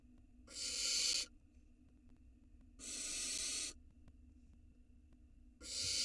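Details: Barn owl nestling filmed by a nest camera in Israel in 2022 as it swallows a gigantic rat; three loud, rough hissing screeches, each under a second, spaced a couple of seconds apart.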